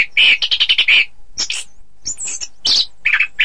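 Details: Orange-headed thrush song for teaching contest singing: a quick burst of about six harsh, buzzy notes, a pause, then scattered high squeaky whistles and a final rasping flourish.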